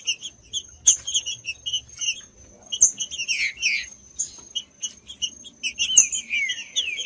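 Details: Green-winged saltator song played to stimulate other saltators, with scattered short high chirps, then rich descending whistled phrases near the middle and end, over a constant thin high-pitched tone.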